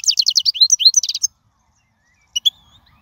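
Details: European goldfinch, wild bird, with song for teaching fledglings: a quick series of repeated high, bright notes over about a second, then silence and two faint chips.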